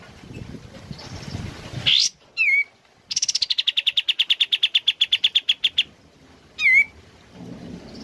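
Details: Sooty-headed bulbul, a kept bird, sings through morning rain: rising whistles and a sharp slurred note, then a long rapid trill of some twenty-five evenly repeated high clipped notes over nearly three seconds, another slurred whistle after; faint rain background.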